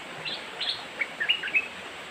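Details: Song of a young merbah lekir bulbul: a loose run of quick, slurred chirps and short whistled notes, with a few softer notes leading in, over constant hiss.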